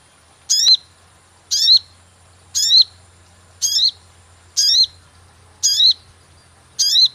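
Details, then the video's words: Call of a sogon used as a lure to catch birds, a high, sharp descending chirp repeated about once a second, seven times, with a faint low hum and steady high whine behind. "cuit cuit pancingan burung sogon"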